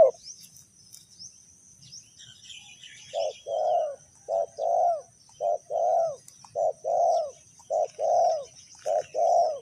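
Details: A spotted dove from Ninh Thuận, recorded during bird trapping with a decoy, gives a series of soft, mellow coos in paired and triple phrases. After a quiet start, the notes repeat steadily, with faint high insect-like hiss in the background.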